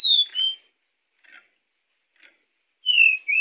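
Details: Pied bushchat song used as a lure for other birds. A high falling whistle and a lower note start it off, two faint soft chips follow, and a bright descending whistle ends it.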